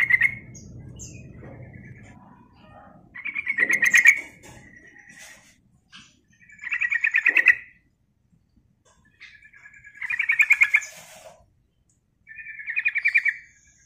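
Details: Calls of a sooty-headed bulbul played to lure birds, five separate bursts of fast bright chattering notes spaced a few seconds apart, with a low rumble early on.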